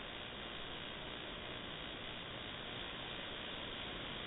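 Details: Steady broadband hiss like distant traffic or wind fills the recording, with no animal sounds.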